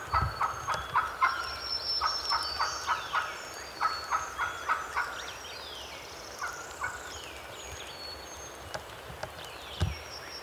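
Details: A wild turkey gobbler in the Tennessee mountains, on public land during a hunt, gobbles a fast rattling burst of throaty notes over about four seconds, as thin whistled songs of small birds sound overhead.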